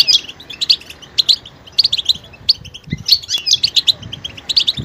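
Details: Betbeta calls of a European goldfinch, the mating-readiness notes meant to prompt males into song. Short groups of sharp, high tinkling chirps recur about every half second, separated by quiet gaps.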